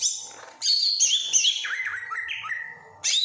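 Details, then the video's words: Kediri greater green leafbird copying other birds' calls. High thin whistles lead into a loud run of varied chirps that steps down in pitch through slurred whistled notes, ending in a sudden bright high burst. "CUCAK IJO KEDIRI || PINTAR NIRU || SUARA BURUNG LAIN"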